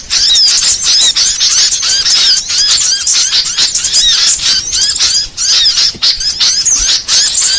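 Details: Burcil training song for songbirds, made of high squeaky chirps and short downward-slurred whistles in quick bursts separated by brief gaps, with sharp crisp notes throughout.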